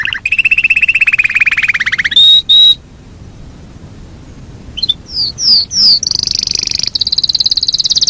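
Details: Yorkshire canary singing a long rolling song: a steady high trill held for two seconds, a short bright whistle, a pause, then quick rising whistled notes leading into another sustained high rolling trill.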